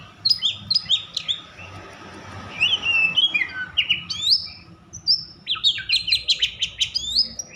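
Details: Agitated Oriental magpie-robin singing to provoke others: repeated sharp whistled notes, then slurred phrases, ending with a dense burst of rapid stacked chatter.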